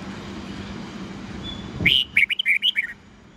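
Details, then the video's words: Red-whiskered bulbul giving an old-forest style 8 to 10 note morning song for young birds to learn: hum and a thud, then a lively series of about eight clear chirped whistles. "Luyện chào mào hót sáng GIỌNG GIÀ RỪNG âm 8-9-10 cực chuẩn"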